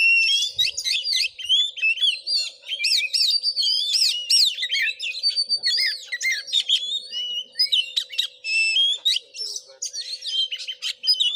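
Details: Singing Oriental magpie-robin, agitated and fighting, at a house in Sungai Rumbai district, Muko Muko, Indonesia; long unbroken stream of looping whistles, quick trills and harsh notes, loud and varied throughout, over a low steady hum.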